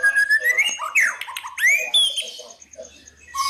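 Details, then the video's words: White-rumped shama, a fighter-type murai batu from Indonesia, giving crackling and whistled lure song meant to provoke rivals: a long rising whistle, then sharp upward sweeps and chattering notes with brief pauses. "KRETEKAN & SIULAN PALING EDAN CEPAT MENDONGKRAK EMOSI LAWAN"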